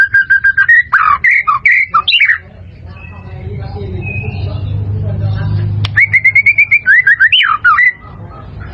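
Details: White-rumped shama song meant as training material for caged birds: clear whistled phrases, rising and dipping, broken by a stretch of low rumbling background noise before the whistles return.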